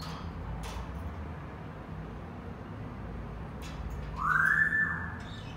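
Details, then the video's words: A Senegal parrot produces a smooth, rising whistle that levels off and holds briefly, heard over steady low background noise in a room. "Senegal parrots sounds تصفير جميل و محفز لببغاء اليويو السنغالي"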